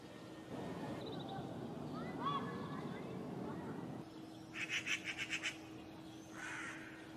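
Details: Eurasian magpie alarm call from a pair nesting in a courtyard in spring: a fast, dry rattling chatter of about eight harsh notes in under a second, then a single rasping note, over a steady low hum with faint bird sounds earlier.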